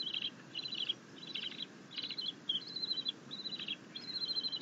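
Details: Bald eagle eaglet chittering happily as its mother delivers a fish, 9 June 2021. Rapid bursts of high, buzzy chitters repeat about twice a second, with brief flat whistled notes toward the end.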